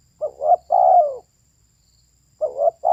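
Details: Female spotted dove cooing: two-part low coos, a brief wavering note then a longer, falling, hoarse coo, repeated after a pause, with a quiet background.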